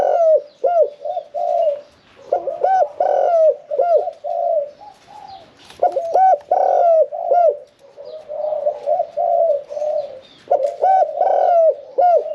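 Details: Spotted dove in a cage, never yet put into a decoy trap, cooing in the one-kuk throw style with a medium voice; soft rounded phrases of several coos recur steadily, some notes bending upward then down.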